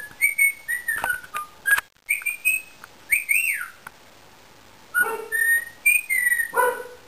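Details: Pet Indian ringneck parakeet whistles short level and falling notes, then an arched swooping whistle, then after a pause more whistles mixed with rougher, lower chattering sounds.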